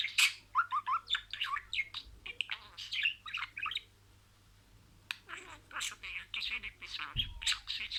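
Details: Budgerigar kept as a pet, imitating words: busy warbling chatter of rapid squeaks and buzzy syllables, a silent gap of about a second mid-way, then more speech-like chattering phrases and a low thump.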